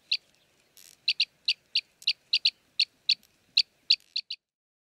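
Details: Chirruping calls of an Arabian green bee-eater recorded at Jeddah, Saudi Arabia: a string of about fourteen sharp, high chips, often doubled, spaced a quarter to half a second apart, with one soft hiss near the start.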